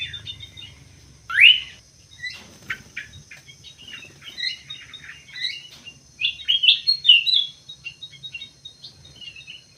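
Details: Common green magpie kept in an aviary with an anklet ring, one sharp rising whistle, then a long run of rapid clicking, chattering notes building into a busy twittering stretch.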